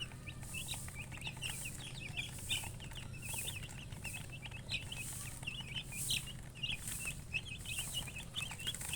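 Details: Baby chickens peeping in a busy chorus of short high chirps, with rhythmic soft hissing pulses and a low hum behind.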